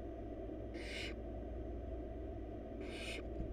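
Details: Begging from four wild barn owl chicks in a monitored nest box as the mother delivers a big rabbit: two rasping hiss-like screeches, each roughly 0.4 seconds, separated by a two-second gap over constant low droning background.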